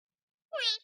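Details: A pet talking Indian ringneck parakeet, spoken to affectionately by its owner, gives a single brief, nasal, harsh utterance lasting about a third of a second after a moment of silence, with nothing else heard.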